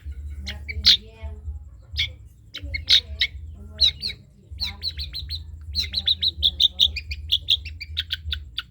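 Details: Trotol long-tailed shrike recorded as tutor material for other songbirds: scattered sharp chirps building into a quick even run of bright clipped notes near the end, over a constant low hum.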